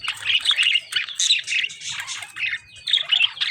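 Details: Caged lovebirds fighting with budgerigars: loud, harsh, chattering squawks in rapid bursts, with brief pauses between clusters of notes.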